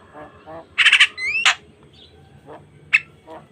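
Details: Javan myna, jalak kebo, giving loud harsh squawks and a rising whistled glide, then scattered quieter notes over steady low background noise, from a natural recording meant to stimulate caged starlings.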